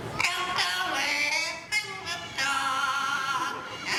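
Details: A mimicking parrot at Animal Kingdom, Walt Disney World, Orlando, Florida, on 2 May 2023, prompted to sing, gives drawn-out, wavering, voice-like notes imitating human singing, broken by a few short pauses.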